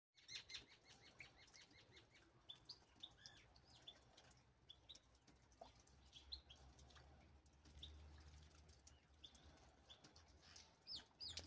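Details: European goldfinch song, heard faintly: a rapid, tinkling twitter of high, bright notes that comes in loose bursts, over a steady low rumble of background noise.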